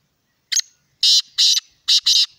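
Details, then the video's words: Harsh, penetrating call of a black francolin: a brief opening note followed by two doubled grating bursts, loud and clear in an otherwise silent setting. "Kala Teetar ki awaz | Black Francolin ki voice"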